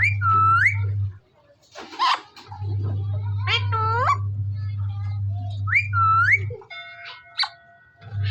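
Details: Parrot in Punjab, India, giving loud, swooping whistled calls, some rising sharply, at intervals over a steady low electrical hum, with a few harsh squawks and brief voices.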